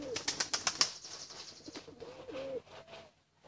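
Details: Young pigeons crying for food. Quick clattering wing flaps open the clip, followed by a few soft, drawn-out whistled peeps that bend upward and fade.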